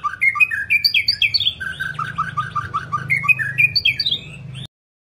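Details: White-rumped shama delivering a long song meant to stimulate other shamas: bright descending whistled phrases repeated in sequence, a run of quick even notes, then the high descending phrase again before cutting to silence.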